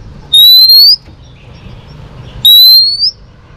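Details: Female Oriental magpie-robin, sung to excite males in training, giving two long clear whistles that rise steadily in pitch, about two seconds apart, over a quiet background.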